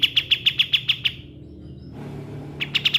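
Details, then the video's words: Cotton pygmy goose calling as a model for training songbirds: a fast run of clipped high chirps, then about a second and a half of quiet hum before the quick chirping starts again. "Kapas tembak"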